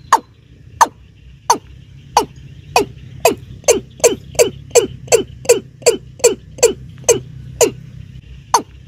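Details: Keb-keb or Watercock calling in a lure recording for hunters: sharp falling notes start spaced, then quicken into a rapid, steady series of fuller knocks before slowing again, over low background rumble.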